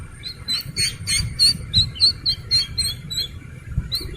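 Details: Young Slaty-legged crake uttering a series of sharp, high peeps, roughly four to five per second, each with a slight upward flick, against faint low background noise.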